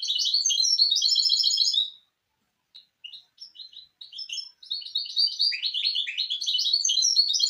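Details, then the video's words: Hybrid misto singing for chicks to learn: a dense trilled phrase, a gap with scattered single chirps, then a rich, fast medley of tweets and rolls. "شريط طائر الميستو الهجين للتحفيظ الفراخ"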